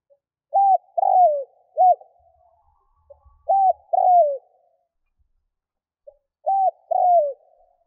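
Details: Three cooing phrases from a decoy spotted dove meant to lure wild birds, each a quick soft pip, paired arched coos and a longer falling coo, low and even in a quiet setting.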